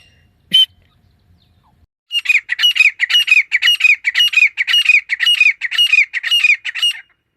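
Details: Call of a desi female grey francolin used as a hunting lure. After a single short sharp note and a pause, there is a steady series of harsh, grating squawks, about two per second, each rising briefly. No other sounds.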